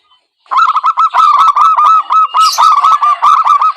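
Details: Zebra dove lure call for trapping: a continuous, loud stream of quick nasal hooked notes, slightly overlapping, with a higher hissy sound mixed in midway.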